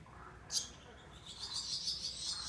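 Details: Swallow chicks calling: after a brief sharp chirp near the half-second mark, a continuous high, hissy, wavering chatter builds and carries on steadily to the end over a low background rumble.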